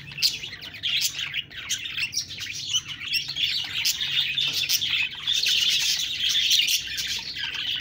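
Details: Chattering budgerigars give a steady flow of high, scratchy twitters and short warbled notes, overlapping and irregular, with brief louder bursts throughout.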